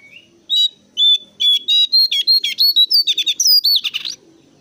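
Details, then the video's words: Lure call of a brown-cheeked bulbul, played to get other birds calling back: a short rising whistle, then a fast, loud burst of scratchy chattering notes riding a whistle that climbs in pitch. "PANGGILAN BURUNG JONGKANGAN COKLAT GACOR SUARA NGOTOT SAMBIL NGEPLONG"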